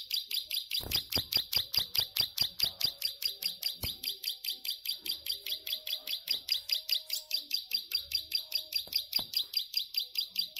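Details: Energetic plain prinia delivering an extended ngelik song: a regular train of scratchy, high-pitched notes, roughly two or three each second, sustained steadily throughout, with a few soft background knocks and a quiet low hum.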